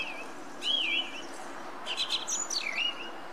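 Song thrush singing: clear whistled phrases that swoop up and down around a high pitch, then a brief buzzy, chattering burst, over a soft steady hiss.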